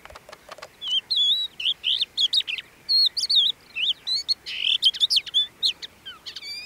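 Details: Crested lark recorded at Bismil, Turkey, in 2016, giving a continuous lively song of rapid twittering, warbled notes and clear whistled slurs, densely strung together in short bursts with brief gaps between them.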